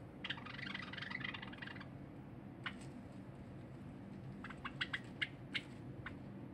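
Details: Cinnamon Java sparrow, a pet bird, singing on 23 January 2021 while a silver Java sparrow eats nearby; a dense burst of clicky, tinkling notes for nearly two seconds, then scattered sharp clicks over a low hum.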